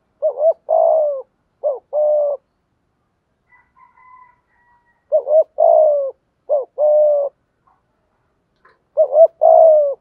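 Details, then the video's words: Spotted dove cooing in the urging 'thúc gù' style, played as a lure to draw wild doves to answer. Short two-note coo phrases, each a quick double note then a longer level coo, in three bursts. A faint thin whistle sounds between them. "chim cu gay thuc gu, chim cu gáy bài bản giúp bổi nghe gáy theo và rất nhanh nổi"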